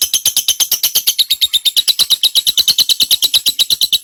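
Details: Lovebird in extended ngekek song, used to tutor white-rumped shama; a shrill, regularly pulsed chattering trill of high notes repeated about three times a second from start to end.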